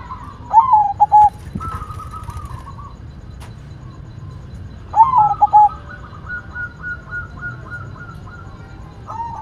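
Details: Zebra dove, a white perkutut, singing steadily: two bouts about four seconds apart, each a bent opening coo followed by short clicks and a drawn-out string of soft level cooing notes; faint low rumble underneath.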